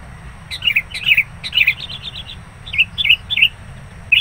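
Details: Sooty-headed bulbul (Pycnonotus aurigaster) during bird trapping, a decoy calling aggressively as wild rivals approach: bright, bubbly chirps in quick clusters of two to four notes, repeated with short pauses between bursts.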